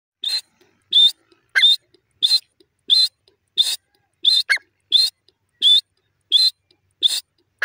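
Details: Grey francolin calling: short, sharp, high notes repeated about every 0.7 seconds in a steady series. Some notes are paired with a lower, slurred note. Silent between calls.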